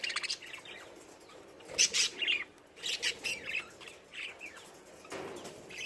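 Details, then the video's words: Lovebirds giving shrill, high chirps and squawky bursts in quick irregular clusters, several overlapping notes with short pauses between groups. "Love Birds"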